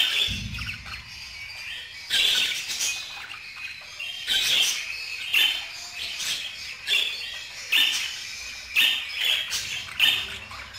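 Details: Budgerigar chattering in bursts roughly every second, with bright high chirps and short clicking notes between quieter pauses; a low thump at the start.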